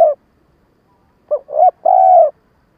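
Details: Decoy spotted dove giving a stuttering coo used to excite wild doves: after the tail of one phrase, a pause, then two short rising hoots and a long, steady, mellow coo. No other sounds.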